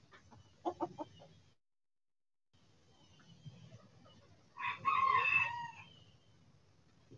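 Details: Backyard chickens out in the sun: a quick series of short clucking notes early on, then after a pause a louder harsh, broad squawk lasting about a second, over low background rumble.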